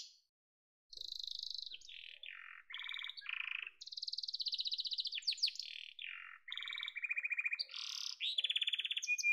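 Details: Yellow canary song opens after a second of silence. Rapid trilled tours alternate between high ringing rolls and lower buzzy rattles, with quick chopped notes near the end.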